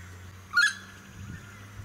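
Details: Noisy friarbird, Sunshine Coast suburbs, Queensland, May 2018: a single brief, harsh call note against low wind and suburban hum.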